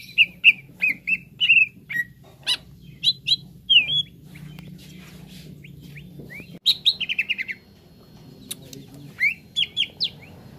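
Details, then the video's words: Green leafbird song used as training to make caged birds sing fast, a series of clear whistled notes, some slurred and rising, in quick bursts with short pauses, and a faint low hum beneath. "TERAPI CUCAK IJO BAHAN CEPAT GACOR"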